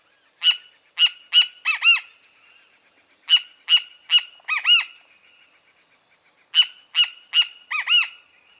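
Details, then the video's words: A great kiskadee repeats its call in three bursts, each with two or three sharp clipped notes before a pair of ringing arched notes, separated by pauses of a second or more. "O CANTO DO BEM-TE-VI (Pitangus sulphuratus)"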